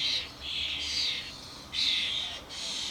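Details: Adult common starlings and fledglings at a garden bird feeder; continuous scratchy, wheezing rasps with a louder shrill surge near the end.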